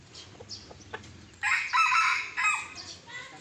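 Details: Sumatran red junglefowl, young wild birds being lured with a decoy: one loud, ragged crow of about a second, with a shorter harsh tail note after it, over quiet rustling and faint sounds beforehand.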